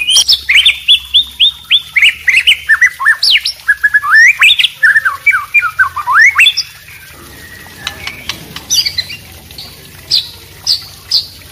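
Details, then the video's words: White-rumped shama of the wambi type mixed with a ropel-style yellow-vented bulbul over trickling water: a run of swooping whistled phrases and rising slurs, then after about seven seconds sparser sharp chips over a steady watery hiss. "suara kombinasi murai batu wambi dan trucuk ropel kemricik air"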